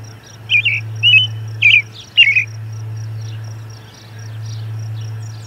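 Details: American robin song at an osprey nest site, Charlo, June 10, 2020, 11:57 in the morning, while an osprey returns: four rapid warbled phrases in about two seconds, then pause; steady electrical hum and high thin whine beneath.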